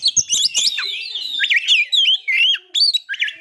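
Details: White-rumped shama singing to provoke breeding condition and aggression: a few clicks, then looping whistled notes rising and falling, repeated rapidly with brief gaps.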